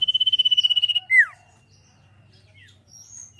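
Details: Sirpu song in the trilling style, for songbird training: the tail of a rapid pulsed high trill ends in a loud descending slur, followed by quiet faint chirps and a thin high whistle.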